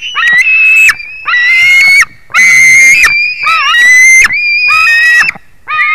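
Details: White-tailed eagle, 21 July 2019 at 22:10, making loud, long, harsh screaming calls with rich harmonics, some wavering and dipping in pitch, about six in a row with short gaps between.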